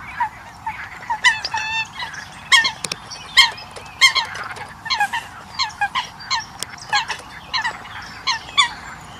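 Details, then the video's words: Eurasian coots give short, nasal, honking notes in quick irregular bursts, several calls a second at times, with a faint hiss of background noise. "Tiếng sâm cầm"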